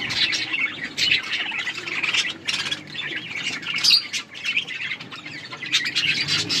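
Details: Budgerigars at their food, chattering in steady overlapping warbles and squeaky chirps, surging every second or so, over a low background hum.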